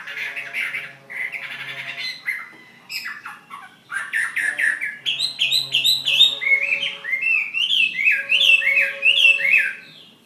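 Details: Chinese hwamei kept as a fighting bird, from Ha Giang in Vietnam: varied warbling phrases, then a burst of fast chattering and loud repeated rising-falling whistles that build toward the end, with a faint low hum behind.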